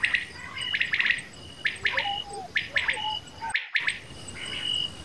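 Common quail calling in sharp, clipped bursts of two or three notes, repeated roughly every second, over a steady high insect buzz and a few softer whistles.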